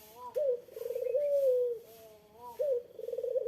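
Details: Collared dove (puter) giving its challenge call to a rival: a short lifted note, a vibrating rolled section, then a long steady coo sinking in pitch, and the next phrase starting soon after.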